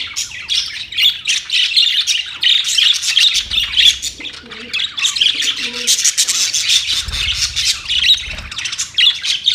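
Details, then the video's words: Budgerigars chattering together: a continuous high, scratchy warble of overlapping chirps and squeaks, with a faint low rumble underneath at times. "Budgies talking to each other"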